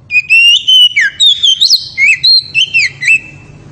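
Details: Very loud ngeriwik song of an oriental magpie-robin (kacer) meant to excite the female, a fast run of varied whistled notes with sharp up-and-down slurs, about a dozen phrases in quick succession.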